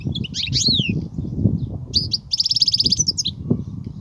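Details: Goldfinch 'kobia' song: sweeping slurred whistles early on, a pause, then a dense rattling buzzy trill followed by a short chirp, with a continuous low hum beneath.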